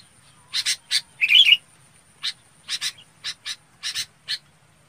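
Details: Red-whiskered bulbul calling its flock: a series of about a dozen short, harsh, buzzy chips at irregular intervals, with one brief warbled whistled phrase early on, over a faint low hum.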